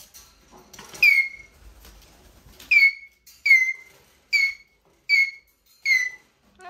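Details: Eurasian jay, a mimicking bird, squeaking plaintively in a run of six or seven drooping whistled squeaks spaced under a second apart, preceded by faint rustling.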